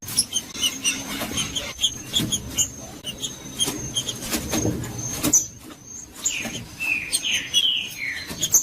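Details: Green-winged saltator in the Judas song style, played to warm up quiet saltators: over five seconds of dry clicking and tapping, then a closing run of clear, sweeping whistled notes falling in pitch, a faint high whine throughout.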